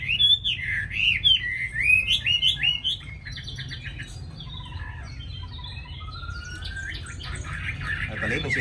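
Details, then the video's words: Tame Chinese hwamei from Hanoi, Vietnam; a burst of loud looping whistles over three seconds, then softer clicking notes and scattered high chirps with steady background hiss. "Mi thuần cb98123 giọng rất hay mau mỏ"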